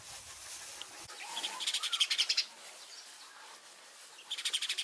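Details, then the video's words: House sparrow giving quick, high, rapidly repeated chirps, several per second, in two clear runs, one lasting under a second and a shorter one at the end, against a quiet background with faint low hiss. "Sparrow Chirping sound | 4K videos | House sparrow sounds"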